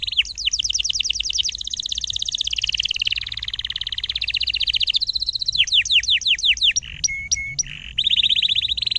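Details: Chattering canary song, 'ngerol' rolling style meant for tutoring young canaries: near-continuous high rapid trills, a stretch of fast descending whistled sweeps, a few sharp isolated chips, then another bright buzzy roll.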